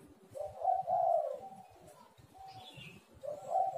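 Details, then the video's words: Spotted dove cooing, used as a lure to prompt lazy birds to call: muffled, drawn-out low coos in two bursts over a steady background rumble, with a faint higher chirp between them. "tekukur super gacor Suara HAS pancingan untuk burung yang malas bunyi"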